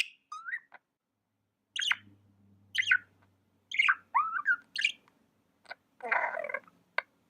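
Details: Tame budgie chirping: scattered downward-sweeping notes and short warbles, a brief harsh rasp near the end, with a faint low hum underneath.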